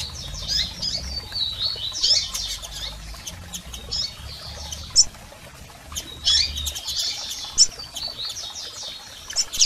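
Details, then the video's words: Female and male double-collared seedeater calls for stimulating a male: repeated bursts of fast high chirping and twittering notes, with sharp single chips between bursts and a faint low background hum. "PIADOS de Coleiros Fêmeas e Machos Para Foguear Seu Coleiro!!!"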